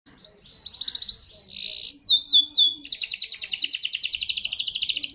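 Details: Local canary singing a varied high phrase: a clear whistled note, quick rattling trills and downward-sweeping slurs, then a long fast even trill for the last two seconds.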